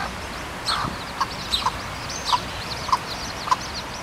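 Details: Hen with newly hatched chicks, free-roaming in the Parque de las Naciones, Torrevieja: short low clucks repeated at uneven intervals of about half a second, with thin high peeping from the chicks overhead and faint outdoor background.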